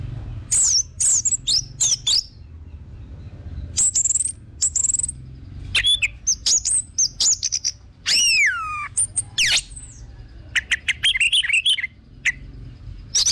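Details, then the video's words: Orange-headed thrush singing a lively, varied sequence of high, sharp whistles, chirps and steep downward-sweeping slurs, delivered in quick bursts separated by short pauses, used to spur other birds into singing. "BAGUS UNTUK PANCINGAN BURUNG ANIS MERAH BIAR TELER DAN GACOR"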